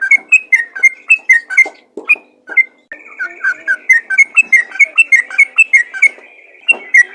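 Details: Rapid ropel song of a yellow-vented bulbul, played to encourage other bulbuls to sing: quick, gurgling whistled notes in bursts, a pause near two seconds, then a renewed, lively string of liquid phrases.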